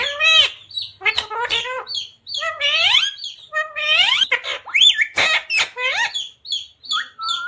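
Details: Pet parrot talking and squawking at home, imitating Hindi phrases; rapid run of bright, wavering whistled syllables and speech-like warbles with sharp squawks, continuous for seven seconds.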